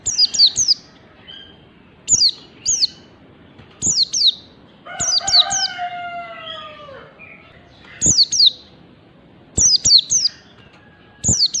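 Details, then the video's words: Pleci learning to sing fast ngalas: repeated clusters of high, falling chirps throughout, interrupted midway by a long lower drawn-out crowing call from a rooster, plus scattered clicks. "MEMANCING PLECI BELAJAR BUNYI CEPAT NGALAS"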